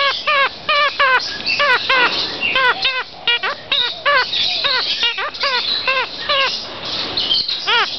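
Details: Kakariki chattering: quick repeated nasal chirps, each an upturned-then-falling harmonic note, delivered in bursts several per second over a continuous high squeaky background of more birds, with some speech audible.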